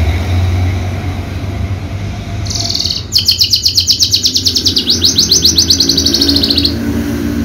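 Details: Horsfield's bushlark of the javanica type, kept for bird-song contests, starts with a brief high note then a long rapid run of sharp repeated chirps, about four per second, over distant traffic-like rumble.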